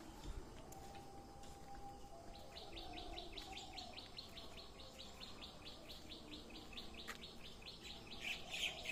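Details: Wild birds chirping in green village surroundings in Assam, India: a fast run of bright, evenly repeated high chip notes about three per second, over a steady low whistled tone and a constant insect-like hiss.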